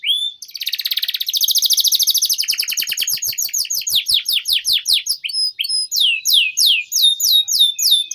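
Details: Canary singing long and continuously, a recording used in Indonesia as a pancingan lure and tutor for young canaries: a fast buzzy trill, then high, sharply falling notes repeated at a steady quick pace.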